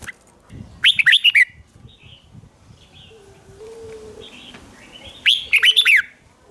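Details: Lure song of a red-whiskered bulbul, played to attract wild birds: two bright, rapid phrases of bouncing whistled notes, one at the start and one near the end, separated by quiet, soft chirps and a low hum.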